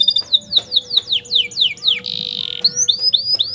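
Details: Master song of a canary for young canaries to learn: a run of falling whistles, then a harsh buzzy roll, followed by rising whistled notes.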